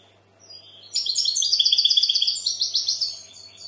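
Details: Goldfinch song opening quietly with a thin note, then a loud run of fast, regularly repeated tinkling notes followed by buzzy twitters.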